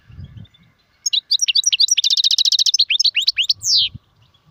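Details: Goldfinch song opening with scattered high chirps, then a rapid buzzy trill and several sweeping whistled notes, closing on a drawn-out descending slur; a brief low thump before and after.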